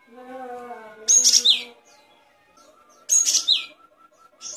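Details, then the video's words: Gelatik batu, the great tit, on a recording made for tutoring songbirds: two loud high whistled downslurred bursts about two seconds apart, over a faint steady low tone and a soft repeated ticking. "Suara burung gelatik batu"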